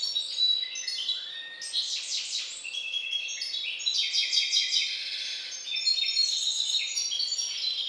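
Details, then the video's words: Captive hybrid finch of a Balkan canary line delivering an unbroken stream of high chattering trills, quick twitters and brief descending whistles, loud and busy throughout, with a low constant hum in the background. "Śpiew bastarda po C.c. Balcanika III"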